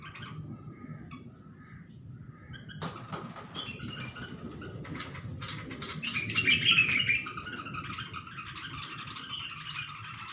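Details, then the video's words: Bulbul reacting to its own reflection in a mirror, giving scattered short chirps and twittering notes over steady low background rumble, with a sharp rustle or tap partway through. "Bulbul khud ko Sheshay men dekh kar | بلبل خود کو شیشے میں دیکھ کر"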